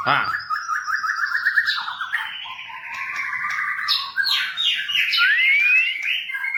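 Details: Varied white-rumped shama song for tutoring captive birds: a continuous run of rapid, rich warbled phrases that shift between high and middle pitches, ending with a clear rising whistled slide.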